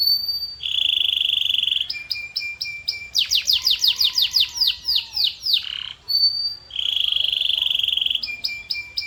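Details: Canary singing. A bright, steady buzzy note opens, then a quick run of clipped repeated notes and a fast series of downward-sweeping whistles. The buzzy tone and clipped notes return at the end.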